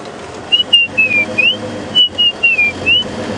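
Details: Male White-browed Scrub Robin calling close to the road on an afternoon safari drive at Djuma Game Reserve, South Africa, April 2016, advertising to attract females and deter rivals; short phrases of clear, high whistled notes over engine hum.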